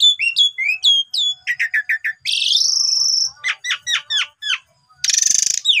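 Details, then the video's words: Lure recording of an Asian pied starling singing: a quick run of bright downslurred whistles, stuttering repeated notes, a long buzzy trill, then sharp descending notes and a short rasping burst. "Pancingan Jalak Suren Biar Bongkar Isian"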